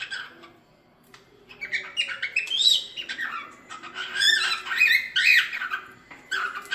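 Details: Song of a cockatiel for teaching chicks, a rambling mix of whistled rising and falling slurs and rasping chatter, growing louder toward the end.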